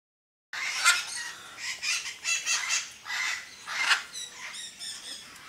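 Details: Several captive parrots at Parque de las Leyendas give harsh, raspy screeches that overlap, starting after a brief silence and coming in uneven bursts.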